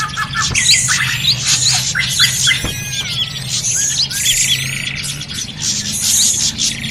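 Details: Loud drongo calling meant to draw birds in for trapping: sharp squawks and clipped whistles in quick runs, a long thin gliding whistle, and busy overlapping high chirps above a steady low drone.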